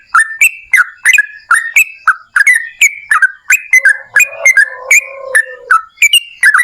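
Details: Yellow-vented bulbul, long rapid-fire song used to spur other birds to sing. Lively bubbly whistled phrases with quick rising and dropping notes repeat steadily, with a lower warbled undertone midway.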